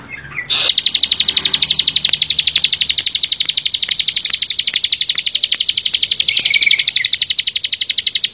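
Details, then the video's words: Bar-winged prinia (ciblek sawah) singing in the full, tight 'bren' style: a long, dense train of sharp buzzy notes, evenly repeated several times a second, starting after a brief soft note and running without a break. "ciblek sawah gacor full bren rapat"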